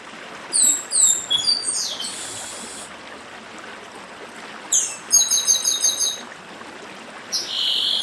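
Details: Chestnut-bellied seed finch (papa-arroz of Brazil's Northeast) singing in the dedim style: bright high whistled phrases of downslurred and rapid repeated notes in two bursts, with a steady rushing stream beneath.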